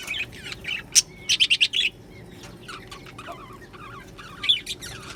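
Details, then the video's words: Happy budgies chirping; a few separate birds give short scratchy chirps, then a quick series of four or five loud clipped notes, followed by softer scattered warbles and one last louder burst. "Budgie Sounds for lonely Budgies | Happy Budgies Birds Sounds | birds Chirping Sounds"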